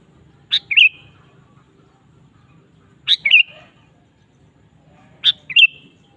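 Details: Sooty-headed bulbul singing lively for use as a lure: three matching phrases about every two and a half seconds, each a sharp note followed by a short bubbling flourish, over a low hum.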